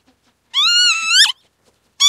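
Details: One long nasal note from a Northern lapwing, level at first and then twisting sharply downward at the end. A second note begins just after a short pause.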